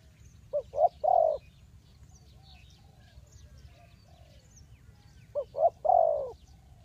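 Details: Spotted dove cooing to lure wild birds to a trap: two separate phrases of quick short notes ending in a longer sliding coo, with quiet pauses and soft distant chirps between.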